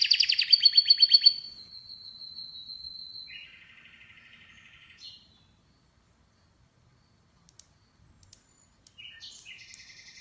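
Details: Canary giving a loud rapid trill that thins into a long steady whistle, then a softer lower rattling tour, a pause of near silence, and faint trill fragments returning at the end.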